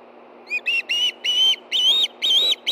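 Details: Two ospreys food calling together at a nest-cam nest in Hellgate Canyon, Montana, on 9 September 2013 at 7:39 p.m., as one takes a fish. After a half-second pause, seven piercing whistled notes come in rapid succession, each slightly higher and stronger.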